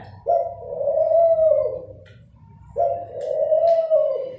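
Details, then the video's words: Two long, steady, low coos from a dove, each a smooth sustained hoot of about one and a half seconds, separated by a short pause, recorded indoors. "Call Of Dove || Dove Sound"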